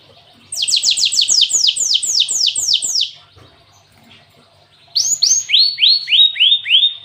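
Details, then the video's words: Cinereous tit singing with canary phrases: a long run of about ten high, rapidly repeated descending sweeps, a pause, then slower, lower downward-slurred notes. "Burung gLatek watu full isian kenari"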